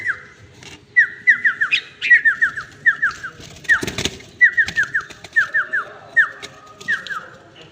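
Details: Red-whiskered bulbul singing in short bursts of quick, downslurred whistled notes, each phrase of three or four falling notes repeated about every second, with a brief rustling burst midway.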